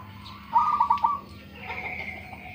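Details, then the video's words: A local zebra dove with a big voice gives a short rippling burst of soft coo notes, followed by a thin, higher whistle from another bird over a low hum. "PERKUTUT LOKAL SUARA BESAR ISTIMEWA"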